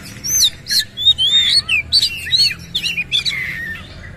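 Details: Oriental magpie-robin, a captive singing bird in full voice with tail spread, delivering a rough, varied song of loud whistled slurs and harsh scratchy phrases in quick succession. The notes are mostly high and clear, with little background noise.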